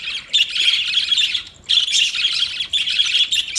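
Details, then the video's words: Budgie warbling in three long buzzy bursts of high, rapid, scratchy chatter, separated by brief quiet gaps. "Funny Budgies Sounds"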